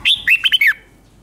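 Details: Caged Red-whiskered bulbul in Thailand singing its five-syllable doubled-note song, used to teach young birds: five loud, bright warbled syllables in quick succession, the last slurring downward, then silence.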